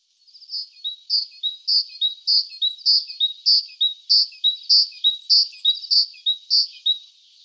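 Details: Great tit (Parus major) song: a steady string of high, ringing two-note phrases, the first note sharper and the second lower, repeated about every half second with an even rhythm and a quiet background.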